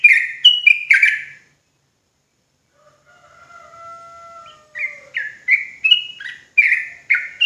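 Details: Sooty-headed bulbul (trucuk jawa) singing to stir other bulbuls into fast ropel song: short, lively down-slurred whistles. In the middle, a thin, steady, drawn-out tone sounds for about two seconds before the chattering notes return.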